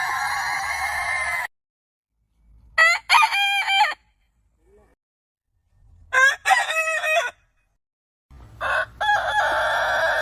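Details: Rooster crows. Short clusters of stuttering, rising notes alternate with a longer held crow, separated by silent gaps. A low background rumble comes and goes.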